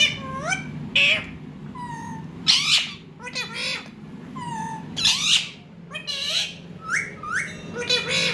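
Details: Ringneck parrot with a baby parrot, giving a busy run of short, harsh, harmonic squawks and rising chirps in irregular bursts, some loud screeches among softer whistled notes, with a low steady hum underneath.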